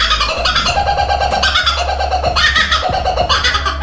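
A Laughing Kookaburra gives loud, rollicking cackles in quick, rising bursts over a steady low musical drone.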